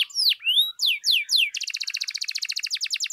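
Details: Canary singing used to provoke other canaries into song: a few loud swooping whistles, then a long rapid rattling trill of repeated buzzy notes.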